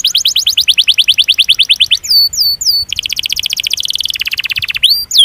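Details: Canary in long rolling song meant to provoke reluctant canaries into singing: rapid high trills broken by a few looping upslurred whistles, then a buzzy, fast, lower roll.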